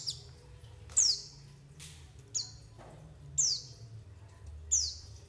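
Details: White-eye call played to lure white-eyes and trigger their singing: bright, high downward-sweeping chips repeated at irregular intervals of about one second, six notes, with faint low hum behind.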